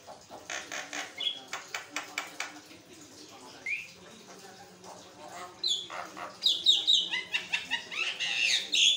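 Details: A Javan myna sings continuously to draw answers from other mynas: a fast burst of dry clicking notes, a single upslurred whistle, then loud, varied harsh and squeaky chatter at the end.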